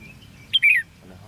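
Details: Red-whiskered bulbul at a trapping contest dated 13 February 2016, giving a single brief, high, slurred whistle that drops at the end.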